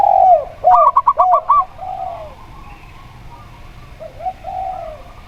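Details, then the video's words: Local zebra dove singing against a spotted dove: a quick run of short, clipped notes is framed by slower, lower, arching coos from the other dove. Faint cooing continues afterward. "Perkutut Lokal Suara Plong"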